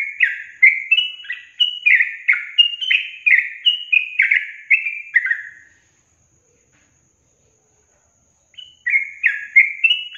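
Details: Sooty-headed bulbul song played to coax caged birds to answer: a rapid chain of bubbly, falling whistled phrases for about six seconds, a gap of silence, then the phrases resume.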